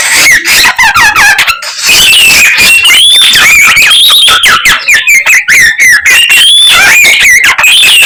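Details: Garugiwa, a young bird singing energetically with a wide medley of notes, pours out a fast warbling stream of squeaky, wavering whistles, quick rising and falling slurs and chattering trills, loud and continuous throughout.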